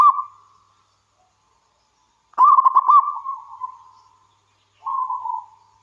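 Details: Wild local zebra dove song used to coax others into calling: a short tail of one phrase, a strong rapid rolling coo series with a long fading end, then a softer separate coo.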